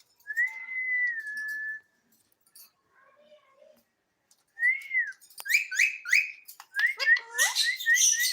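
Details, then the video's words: Talking pet parrot giving a long, level whistle, then a pause with soft murmurs, followed by a fast string of arched, chirpy whistles that grow denser and brighter toward the end. "My Talking Parrot"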